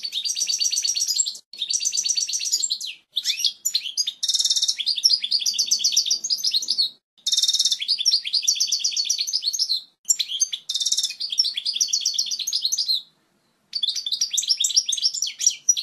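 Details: European goldfinch song used to teach chicks: long bright twittering phrases of rapid high chirps and trills, with buzzy harsh notes mixed in, broken by short pauses.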